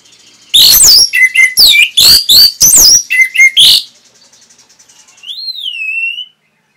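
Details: Training song for caged Orange-headed thrushes: a fast, loud series of sharp, ringing notes repeated about three times a second, a short pause, then one long whistled note that rises and falls.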